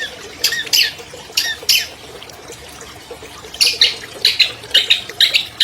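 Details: Albino long-tailed shrike, champion in 2020, lure recording for captive shrikes that stopped singing: harsh grating notes in two bursts separated by a pause, the second a fast chattering series.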